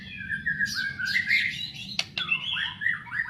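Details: White-rumped shama, a fighting bird, delivering bright, slurred whistles and burry warbles in quick succession, with two sharp clicks near the middle and a low droning hum throughout.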